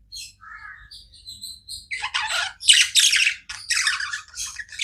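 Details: Pet budgerigars chirping: a few thin whistled notes open, then rough, loud squawky bursts repeat about three times a second in a choppy run.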